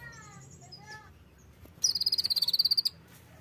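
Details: Oriental white-eye (pleci) song: after a few soft whistled notes from other birds, a fast, even trill of about fifteen high, thin chips lasts roughly one second, over a steady noisy background.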